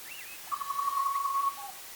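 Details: Butcherbird visiting a desert camp in Western Australia gives a pure, flute-like whistle: a brief rising-falling note, then one long steady note held about a second, ending in a short lower tail.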